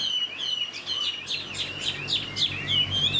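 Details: This year's young Chinese hwamei, kept in a cage, delivers quick repeated downslurred whistles with sharp high accents, lively and insistent.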